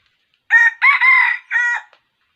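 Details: Red junglefowl crowing during trapping with a decoy rooster on 6 January 2021; the wild bird crowed like a young cockerel. Three loud harmonic bursts, the middle one longest and sustained, after a short silence.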